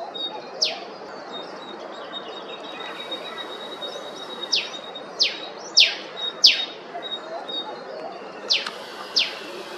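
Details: Eastern spinebill (Acanthorhynchus tenuirostris) in Queensland, Australia, giving sharp, high, downslurred piping notes, singly and in quick pairs, about eight in ten seconds over a soft, steady background hiss.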